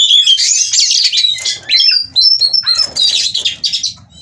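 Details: Breeding-condition oriental magpie-robin doing ngobra display, kept at a breeding farm in Cirebon, Indonesia. A continuous, fast jumble of high twitters and sharp whistles with hardly a pause.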